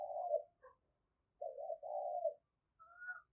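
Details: Distant-sounding decoy spotted dove giving low, purring coos in two drawn-out phrases, followed by a brief higher, whistled note.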